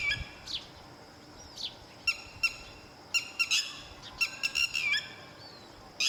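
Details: Red-wattled lapwing guarding its chicks until they can fly. Brief, sharp, clipped notes sound singly and in quick clusters over steady broadband background noise.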